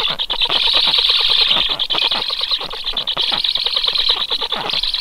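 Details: Stork nestlings give a harsh, fast pulsed rasping, about three pulses per second in uneven bursts, loud and unbroken for five seconds.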